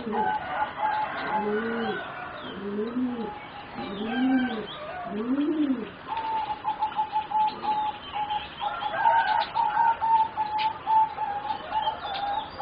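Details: Young singing zebra doves bred for competition, about 3.5 to 4 months old, coo in four evenly spaced arched phrases over the first six seconds, then a steady mid-pitched hum and scattered chirps follow.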